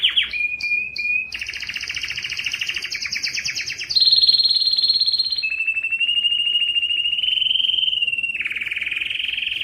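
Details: Strong, distinctive canary singing, recorded to stimulate males to sing, females to breed, and teach young birds; a few short notes lead into buzzy trills, then loud steady rolling tours stepping down in pitch.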